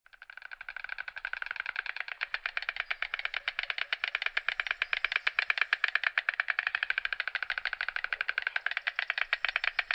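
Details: White stork (Ciconia ciconia), bill clattering.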